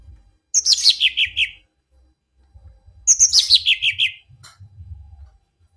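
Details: Mini green leafbird producing a strange call: twice, a quick run of high, sharp notes that step downward in pitch, each run lasting about a second. A few faint chips follow, over soft low thumping.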